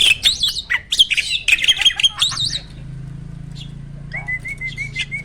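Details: Mature male Asian pied starling in breeding condition, caged, delivering a loud rush of wavering whistles and harsh chatters, then a pause and a quieter, thin, quavering whistle.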